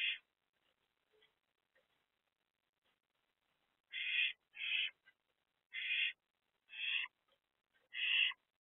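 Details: Barn owl family at an owl box in the small hours of 7 April 2024, mother perched with the two oldest young, youngest in the box. Brief rasping hisses, five clustered in the last half, after near silence.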